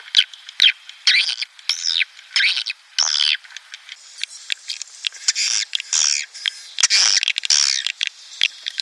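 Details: Twittering swiftlet calls meant to attract colonies into a swiftlet house: high, arching chirps and squeaks in quick irregular bursts, each under half a second, with brief silences between.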